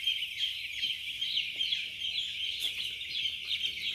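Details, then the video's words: First-day chicks on a poultry farm in Chimmad, Bagalkot district, give a steady, overlapping mass of high, thin peeping cheeps, continuous throughout with no pauses. "Beautiful chicks | 1st day chicks"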